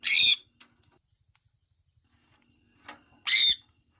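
A sun conure gives two loud, harsh, grating screeches about three seconds apart.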